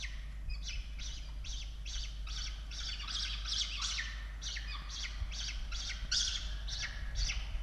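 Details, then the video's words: Evening feeding at a peregrine falcon nest in Australia, 16 October 2022: continuous rapid rasping squawks, several per second, forming a noisy chorus with low hum underneath. "Sokoły wędrowne"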